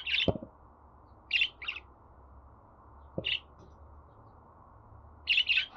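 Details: Chirping pet budgerigar: high, clipped chirps in small groups separated by pauses, ending with a quick double chirp. Soft thumps are heard in the background.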